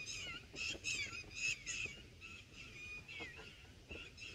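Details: Baby red bulbuls being fed in their nest, first day of watching: scratchy, buzzy nestling calls in uneven bursts, louder at first then thinning to scattered shorter rasps, over faint background rustle.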